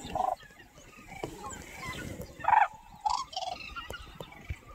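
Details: Red-crowned cranes flying in line over Cheorwon Plain, Gangwon Province, give loud, brassy trumpeting calls in short bursts, about four notes within five seconds, over a faint rustling background.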